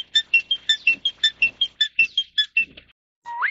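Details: A Taiwanese Crested Myna (Acridotheres cristatellus formosanus) gives a quick run of about fourteen bright, clipped notes at a steady patter, then a brief pause and one rising whistle.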